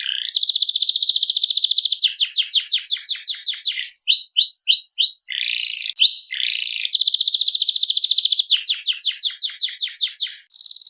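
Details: Canary song with long rapid trills of high chopped notes alternating with shorter bouncing whistled phrases and a brief harsh buzz, sustained without pause.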